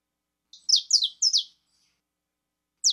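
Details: Four loud, rich chirps in quick succession from a saffron finch called 'fibra', each high note falling in pitch, then a pause and one final sharp downslurred chirp.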